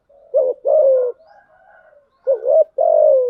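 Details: Spotted dove used as a lure, female-style enticing coos in thúc gù and gáy gọi patterns: two repeats of a brief upward-curving note and a longer, mellow, gradually falling coo, with faint murmurs between.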